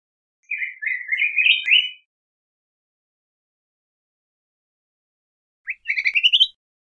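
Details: A yellow grosbeak sings two phrases of quick, rich whistled notes, the second climbing in pitch, separated by several seconds of silence.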